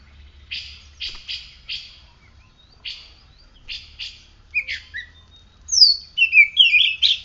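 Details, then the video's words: After morning sunning and dew, a kept oriental magpie-robin sings: about ten short, raspy chattering notes in irregular pairs, then a lively phrase of high, loud, varied whistles and trills. "Kacer gacor"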